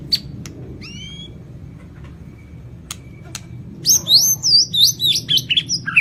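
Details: White-rumped shama of the Lampung type with a complete fill repertoire: scattered clicks and two thin whistles, then a burst of very high, fast, twisting whistled notes.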